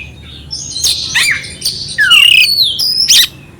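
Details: Oriental magpie-robin giving clear song with rough filler notes, used to stir up a quiet, unexcited magpie-robin: loud whistled slurs, descending and rising sweeps mixed with harsh chattering bursts, varied and rapid.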